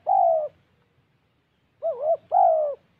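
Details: Decoy spotted dove in Gia Lai, Vietnam: one drawn-out soft coo, a pause, then a quick two-note hooting phrase, low and mellow against a quiet background.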